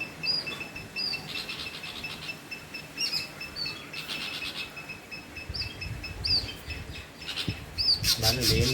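Dull-blue flycatcher giving short, high whistled notes every second or two over a steady high insect-like whine, with a brief human voice at the end.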